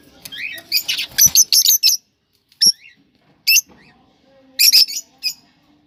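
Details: Cockatiels, kept birds, calling to stimulate breeding: bursts of harsh, broadband chirps and squawks, clustered early then spaced out, with a short rapid run near the end.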